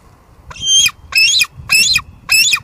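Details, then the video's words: Live nest-cam audio from Two Harbors, 24 July 2022, of a female bald eagle at her nest with leftover food. She gives four quick, shrill, chattering squeals in a steady run. "Two Harbors Bald eagles; Lancer's got a lot to say tonight"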